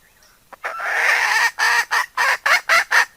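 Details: A hen calling, used as a decoy call: a drawn-out harsh squawk lasting nearly a second, followed by six short, loud, strongly harmonic clucks repeated roughly every quarter second.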